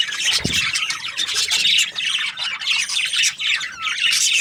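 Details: Several Australian budgies keep up a busy, high-pitched chirping chorus: rapid squeaky twitters and brief whistles layered over each other, with one low thump near the start.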